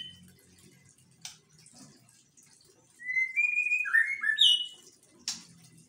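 A White-rumped Shama gives a rich burst of clear, varied whistled phrases, sliding and tumbling over about two seconds, between sharp clicks and a low background murmur.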